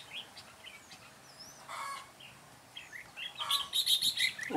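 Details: Red-whiskered bulbul used as a decoy in a trap to lure wild bulbuls, recorded 9 June 2017; scattered short whistled chirps, then a loud burst of rapid bright notes and rustling near the end.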